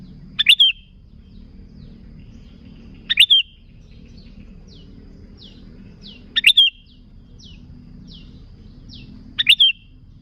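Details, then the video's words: Sooty-headed bulbul song for luring wild bulbuls: four sharp, ringing phrases spaced about three seconds apart, with many faint, thin downward chirps in between and a steady low background rumble. "Suara Burung Kutilang Gacor ASLI Tanpa isian, Ampuh untuk Pikat Kutilang"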